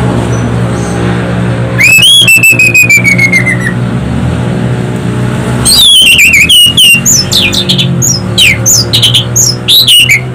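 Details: Orange-headed thrush, a loud, piercing, melodious singer used as a lure to get other birds singing: loud whistled phrases with a long falling slur and rapid sweeping notes, over a steady low hum.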